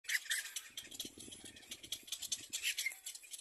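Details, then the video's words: Little black cormorant chick begging to be fed by its mother: harsh, rasping cries in rapid rattling bursts, with a lower croaking undertone in the middle of the sequence. "Little black cormorant baby bird cries"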